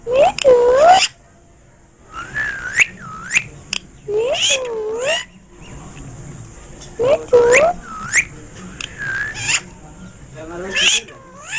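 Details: Parrot in India speaking Hindi, delivering bursts of bent, harmonic, voice-like syllables in groups, with short pauses between them and faint background hum.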